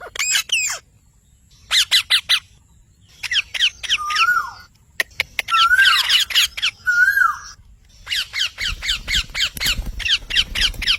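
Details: Green parrot known for talking, mixing clipped harsh squawks with a few drawn-out, descending squeaky notes, then a long run of rapid chattering squawks, with a low background rumble near the end.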